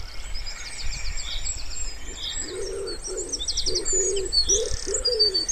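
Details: Wood pigeon near a pond in spring. After a few seconds of high bird chatter, a low, husky coo phrase of several notes begins, while small birds keep chirping and trilling above.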